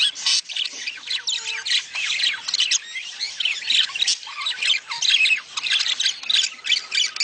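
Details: A flock of budgerigars calls to encourage breeding. Continuous busy warbling, with rapid chirps and harsh squawks layered over one another and no break for seven seconds.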